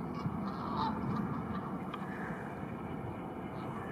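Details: Canada geese, a flock feeding on grassland in northern France, giving low, overlapping honks and murmurs over a steady background rumble.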